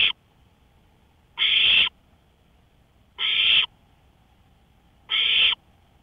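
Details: Owl heard from a porch in the early hours, 1:53 AM on May 5, 2013: a clipped rasp, then three hissing screeches roughly 1.8 seconds apart, with quiet gaps.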